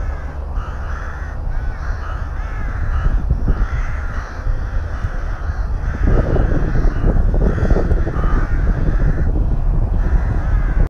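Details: Rooks calling around a nest in their breeding colony at Tyrnovo: harsh, grating caws repeat almost without pause from several birds, overlapping into a steady chorus, with constant low rumbling noise underneath.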